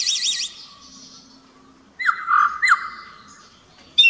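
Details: A common blackbird in a church courtyard at Nisi, Paralio Astros, Greece, on 23 March 2017 at 12:45 gives a quick warbled trill, then a mellow, fluty phrase of low sliding notes and a thin, high twittering flourish.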